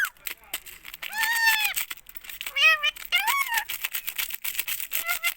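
A ringneck parakeet talks in short, nasal, speech-like phrases with wavering, rising and falling tones, separated by brief pauses.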